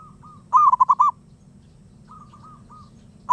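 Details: Wild zebra dove cooing steadily: a loud burst of about five quick, husky coos, then softer, more distant coo series, and a fresh loud phrase starting at the end, with a low background hum.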